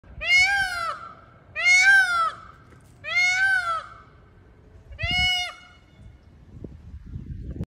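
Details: Peacock screaming: four loud, wailing, harmonically rich calls, each arching up then down and lasting under a second, spaced about 1.5 seconds apart, followed by scattered low knocks and rustling.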